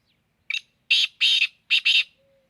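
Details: Black francolin calling; a brief note followed by two pairs of loud, harsh, grating syllables in quick succession, each burst rasping and broad, with silence between.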